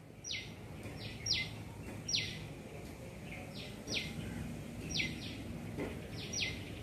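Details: A shikra (Accipiter badius), a small bird of prey in a garden looking for prey, gives sharp, high, down-slurred notes, often doubled, repeating about once a second over a steady low background rumble.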